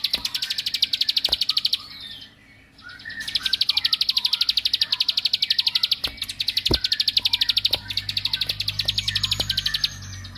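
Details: Bar-winged prinia of rice fields singing to provoke and agitate other males: long bursts of very rapid, high, ticking repeated notes, briefly pausing near two seconds, with scattered clicks and a low rumbling hum underneath.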